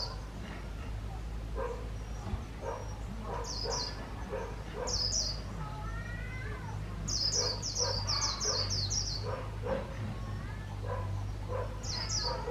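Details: Decoy white-eye used in trap-fighting calls in scattered pairs of high, falling notes, then a longer rapid run of six or so near the middle, amid frequent dog barking and steady low hum.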